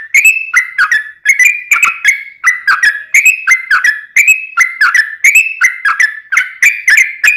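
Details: Sooty-headed bulbul in a long rolling song aimed at coaxing other bulbuls to sing: a continuous rattle of clear whistles with clicky attacks, falling and rising in short repeated figures throughout.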